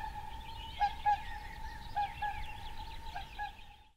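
Whooper swans give short, bugling honks, about five in a few seconds, over a steady mid-pitched drone of distant flock calls.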